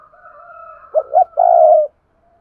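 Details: Caged decoy spotted dove cooing to attract wild doves: two short, bouncing hollow notes lead into one long, even, mellow coo, after a faint drawn tone in the background.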